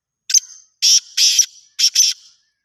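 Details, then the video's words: Black francolin calling one full phrase: a short clipped note, then two long harsh buzzy notes, then a paired rasping ending. All sharp, loud and grating. "Voice ofBlack francolin"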